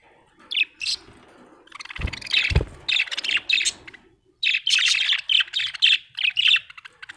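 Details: Happy budgerigar chirping: scattered squeaky notes, then a steady stream of buzzy, warbling chatter, broken by two low knocks near the start.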